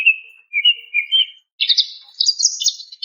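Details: Greater green leafbird female calling a male: sliding whistled notes first, then a rising, buzzy chatter climbing higher toward the end.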